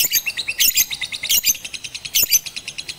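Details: Batman lovebird on a roof during song training with a master recording, first session 18 April 2021 in Ramadan; rapid high, sharp chirps repeated about five times a second, with a few louder harsh bursts.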